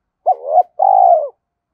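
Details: One loud call phrase from a decoy spotted dove in the thổ voice style. A brief upward swoop slides into a rising note, then a drawn-out low coo that falls off. No other sounds.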